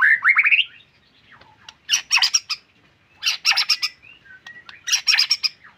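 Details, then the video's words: Caged white-rumped shama singing in full, energetic form: an opening rising whistled slur followed by three loud bursts of harsh, rattling chattering notes about every one and a half seconds, with softer whistles between. "Murai Gacor Full Durasi"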